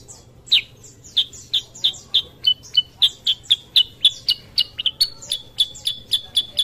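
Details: Untrained Sooty-headed bulbul giving a lure song for other birds: quick, high chip notes in a steady run, a few lower doubled notes around the middle.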